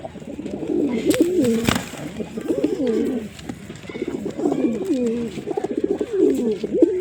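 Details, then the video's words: Pigeon cooing in a rolling, wavering series of low phrases, with short pauses between bursts and a brief click near the start. "Pigeon Sound Effect"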